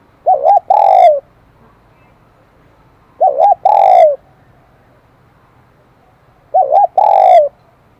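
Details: Newly caught wild spotted dove in the 'kim đồng' high-voiced song style. It repeats a phrase about every three seconds: a quick doubled coo, then a longer, clear, slowly falling coo. The background is quiet.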